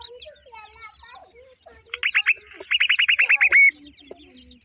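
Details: Soft low warbling notes, followed by black francolin chicks bursting into about a dozen quick, clipped descending chirps and a short sustained whistle at the close.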